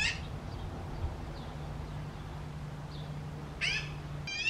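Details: Magpie chicks, calling while preening and observing, give harsh, raspy screeches in short bursts, three in under five seconds, with a few faint squeaks between and a low steady hum underneath.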